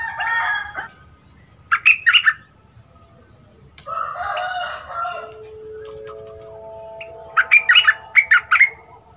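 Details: Caged bulbul in training, two months captive, with a big voice: repeated clusters of chirpy notes separated by lower, longer background sounds, with a steady tone in between.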